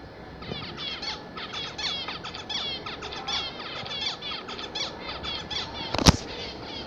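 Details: Chattering song from a group of pet zebra finches, continuous quick nasal beeps and buzzy trills, ending with one sharp loud click near the end.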